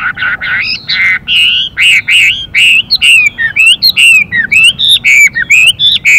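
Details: Chinese hwamei male pouring out continuous changing-voice 'đảo giọng' song with a female present: a fast, jumbled stream of sweet whistled slurs and twisting notes, rising and dipping without pause.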